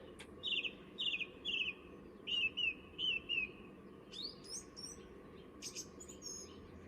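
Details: Male song thrush singing in February (began in January) on a full-moon dawn, loud clear phrases each repeated three or four times before switching to a new one, over a steady faint hum.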